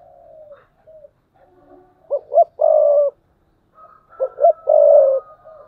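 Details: Spotted dove used as a decoy bird, cooing in the thúc bổi style, 2022: two loud phrases, each of two short clipped notes then a long burry low coo, with softer coos between and a faint thin high whistle.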